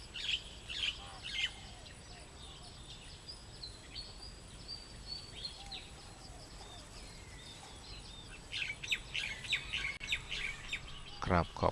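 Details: Weaver chicks calling from several nests hanging in a tree on a fresh morning, while the parents forage for food, chatter in short, high, overlapping chirps and twitters at a quick pace, over a steady hiss, with a few sharp clicks near the end.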